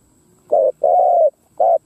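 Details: Captive decoy Spotted dove cooing to lure wild doves: three low, mellow coo notes, the middle one longest and steady, with short silent gaps between them.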